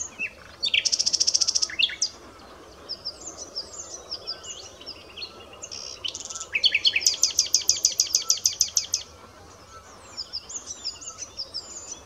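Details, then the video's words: Varied common nightingale song: a fast machine-gun rattle of sharp clicks, high short notes, then a second, longer rapid rattle, with a few scattered phrases at the end. "Rossignol philomèle (Luscinia megarhynchos) - Usignolo comune - Common nightingale"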